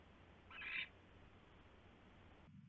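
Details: Single harsh, swelling screech from an owl on a nest tray at night in February 2016, about a third of a second long, then only quiet background hiss.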